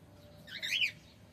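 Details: Male cockatiel uttering one short, warbling, wavering chirp that climbs and dips, over a soft background hum.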